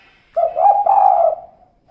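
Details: One long, drawn, slightly wavering low coo lasting about a second, from a female spotted dove whose call style is known as kuk-kuk. The background is quiet.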